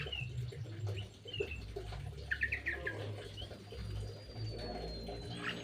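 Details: Aviary birds quarrelling while being fed: short chirps and a cluster of quick rising squeaks, over a steady low hum and faint scratching.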